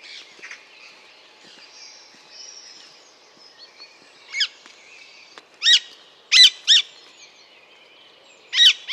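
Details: Alexandrine parakeet calling: after a quiet start with faint chirping, five loud, harsh, rasping squawks come in the second half, some in a close pair, at irregular gaps.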